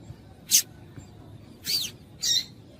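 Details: Female double-collared seedeater giving calls to excite a male: one sharp high chip followed by two longer, slurred high notes within three seconds, low background hum.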